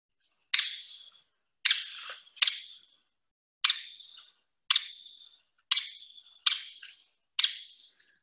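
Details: Hairy Woodpecker giving its tweak call, often heard before the bird is seen: eight sharp, high, emphatic peek notes about a second apart, more frantic and bigger-sounding than a Downy's; nothing else is heard.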